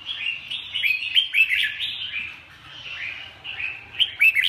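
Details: Red-whiskered bulbul song: rapid, warbled phrases of bright whistled notes with quick up-and-down slurs, run together almost continuously with louder bursts near the end; faint low hum beneath.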